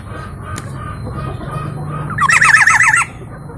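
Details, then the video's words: Local Javan black-naped oriole from East Java, described as a lively singer with many melodious sound variations; after quiet background hum, a loud rapid rattling burst of zigzagging nasal notes lasts under a second near the end. "KEPODANG LOKAL JAWA GACOR VARIASI BUNYI BANYAK"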